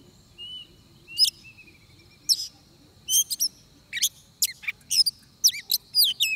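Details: Oriental magpie-robin near a trap. It opens with a soft thin whistle, then scattered sharp chips and downslurred whistled notes that come faster toward the end. A steady faint high hum continues beneath.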